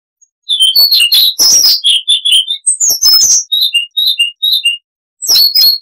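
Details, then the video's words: Continuous twittering song of a Siberian rubythroat. After a brief hush it runs into a dense chatter of sharp high chirps and whistled notes at a quick, uneven pace, then a final burst after a pause. "Suara Unik Asli HD AUDIO - Siberian Rubythroat (Luscinia calliope)"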